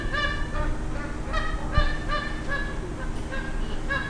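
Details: Magpie geese in Darwin, where thousands arrive seasonally at the end of the dry season, give loud, resonant honks, about two per second, overlapping as several birds call together over a steady low rumble.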